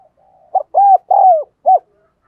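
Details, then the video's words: Spotted dove used as a decoy, cooing to rouse other doves into calling: one close, low four-note phrase, a short lead note, two long mellow coos and a clipped final note. "Chim Cu gáy Thúc Gù Căng Đét"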